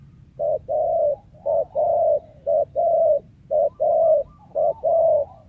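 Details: Spotted dove, wild bird valued by lure trappers, cooing steadily: a brief low note followed by a longer hollow coo, repeated at an even pace roughly once a second.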